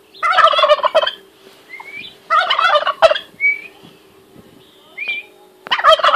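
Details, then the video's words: A turkey calling: three loud, rapid rattling gobbles about two seconds apart, with thin whistled notes between and a steady low hum underneath. "Le fameux cri du dindon - famous turkey sound"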